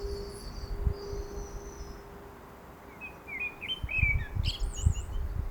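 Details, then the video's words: Common blackbird singing in a garden in Milton Keynes: a short fairly faint phrase of low fluty warbled notes followed by a high squeaky twitter, with other birds calling faintly in the distance and steady low rumbling background noise. "Black bird singing at my garden"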